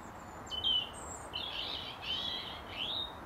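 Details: European robin, a local male, singing from his usual branch of a garden apple tree to defend his territory, singing longest in the final hour of daylight: thin, high whistled phrases with quick slurred notes over a steady background hiss.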